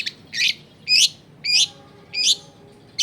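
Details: Long-tailed shrike calling as a lure to draw song from other shrikes, recorded in a crowded residential area: harsh, rasping high notes repeated about every half-second, five strident bursts with short gaps between them.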